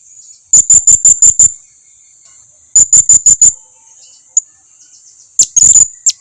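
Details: Hanging parrot lure call, blue-crowned species, for getting other birds to respond: quick runs of six and five sharp, very high tsit notes, then a pause and a couple of louder squeaky chirps.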